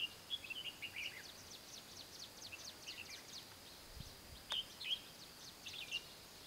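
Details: Red-whiskered bulbul trapped with a decoy bird at Mông Hóa, giving fighting song: short warbled, bubbly phrases in bursts near the start and again after four seconds, over a dense backdrop of rapid, high, thin chirps from other birds and a single sharp click.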